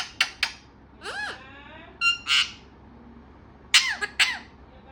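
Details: Talkative parrot making a lively mix of short sharp clicks, wavering squeaky syllables, a tonal whistle-like call, and closing harsh chattering bursts.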